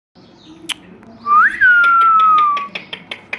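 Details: Indian ringneck parakeet, a pet talking parrot, gives one loud whistled note that rises, then holds nearly level and slowly sinks over about one and a half seconds, amid sharp repeated clicking taps and a faint low hum.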